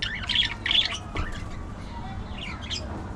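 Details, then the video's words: Budgerigars chattering: bursts of high, scratchy chirps and squeaky warbles clustered early, then softer scattered notes, over a low steady background hum. "Budgie Moments: Gossip"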